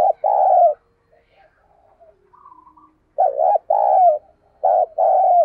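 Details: Caged spotted dove decoy repeating its thúc call to get other doves calling: paired hollow coos at the start, a quiet gap with soft notes, then two more pairs of rounded, slightly falling coos.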